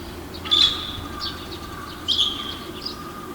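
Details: Male red-billed starling, a single bird, calling at early morning from the wall of an apartment building beside a river in Naka Ward, Hiroshima, Japan, 9 May 2020, near a common starling colony; two short high harsh bursts about 1.5 seconds apart over a steady low hum.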